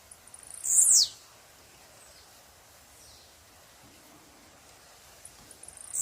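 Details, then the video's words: Wild blue-black grassquit singing in nature: one loud, sharp buzzy note sweeping down from very high pitch, then a long quiet gap with faint background hiss before the next note begins at the end. "Tiziu na natureza"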